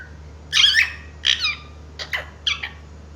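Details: Pet parrot said to talk, saying mummy and papa. It gives four harsh, raspy squawks spaced under a second apart, over a faint hum.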